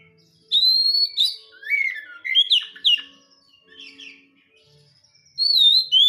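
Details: Home-kept Oriental magpie-robin singing loud, varied whistled phrases: sweeping upslurs and downslurs, sharp notes and trills delivered in bursts, with a short pause mid-phrase before another bright burst; faint low hum underneath.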